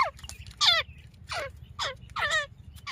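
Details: Female grey francolin calling in Layyah, Punjab, Pakistan, a call used in hunting: harsh, nasal, rasping notes sliding downward, five in quick succession, over a constant low hum.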